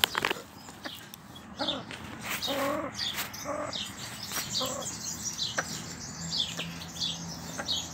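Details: A male Temminck's tragopan calls in short stacked bursts, several spaced through the first five seconds, over constant high twittering and chirping from other small birds.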